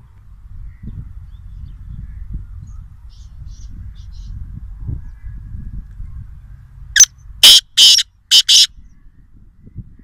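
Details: Black francolin near Nawabshah calls once: a brisk series of four or five coarse, grating notes, the second and third longest, following several seconds of quiet low background noise.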